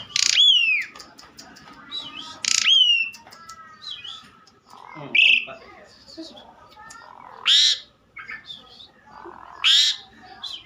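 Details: Asian pied starling singing actively: loud, varied phrases of sharp descending whistles, a rising whistled slur and short chattering notes, given in bursts about every two to three seconds with quiet gaps between.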